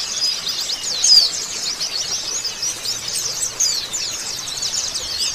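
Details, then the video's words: Oriental white-eyes twittering together, as a lure to prompt another bird to sing: a steady wash of high, quick chirps from many birds, with a few louder, clearer whistled notes standing out. "PANCINGAN BURUNG PLECI BAHAN & OBYOKAN CEPET RESPON BUNYI"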